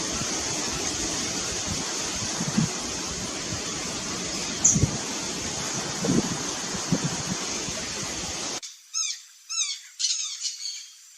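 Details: Guira cuckoo (Guira guira) in Bogor gives a quick run of four or five harsh, downslurred notes near the end, after a long stretch of steady hiss and a high insect-like whine.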